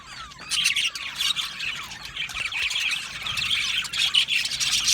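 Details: Budgerigars in an aviary colony, singing and chirping together: a dense, continuous mass of high warbling chirps and squawky notes with quick rising and falling sweeps, nearly unbroken throughout.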